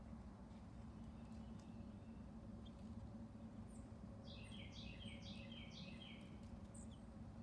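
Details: Red northern cardinal in early morning song, with a flock of bluebirds nearby: a faint rapid series of down-slurred whistles repeated several times mid-clip, with scattered high chips and a steady low rumble throughout.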